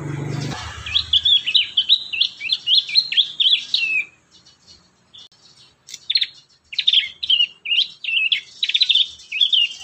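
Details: Prinia song used to train young birds to sing. A long, rapid series of high, sharp chirps is followed after a quiet gap by more clipped, slurred notes in short groups.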